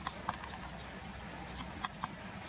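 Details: Two brief high whistles about 1.4 seconds apart from a Daurian redstart in a plum grove in late winter 2021, with soft clicks around them.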